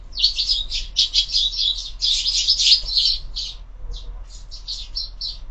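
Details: Loud, dense sparrow chirping at a window feeder in the morning, a packed run of notes that thins into separate chirps toward the end.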